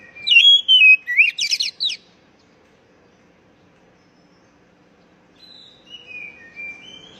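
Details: Oriental magpie-robin used as a lure to get stressed young birds that have stopped singing to sing again: a whistled phrase that slides down, then rapid high chattering notes, with a fainter, softer phrase after a pause.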